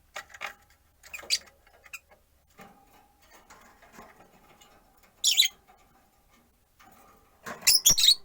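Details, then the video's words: Busy chatter from four rosy-faced lovebirds in a windowside cage, one on a perch: scattered soft chirps and twitters throughout, a loud harsh squawk midway, and a closing flurry of shrill overlapping chirps. "Lovebird Chirping Sounds"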